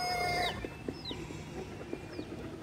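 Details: Chickens at the zootechnical area of Água Branca park, Barra Funda, São Paulo: a rooster's crow ends on a drawn-out nasal note, then scattered low hen clucks and a few thin, high, falling chick peeps.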